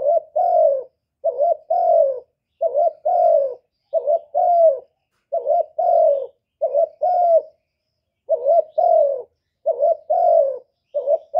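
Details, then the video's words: Repeated two-part calls of a spotted dove: a clipped lead-in note, then a fuller, falling, hollow coo. About a dozen phrases come in close succession, with one longer gap midway, and no other sounds. "សំឡេងលលកូក2.ឮច្បាស់ល្អ.2023 , terkukur"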